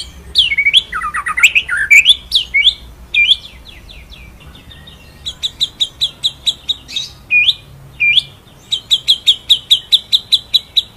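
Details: White-rumped shama (murai batu) singing in full ngerol and nembak style for a masteran tutor recording: clear whistled notes and upswept phrases, then long runs of rapid, evenly repeated high chips, with quiet gaps between bursts.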